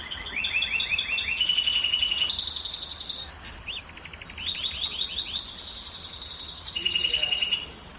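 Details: Canary singing, offered as a sound to stimulate female canaries to breed: successive stepped trills of repeated notes climbing and dropping in pitch, a pure held whistle midway, steady and loud throughout.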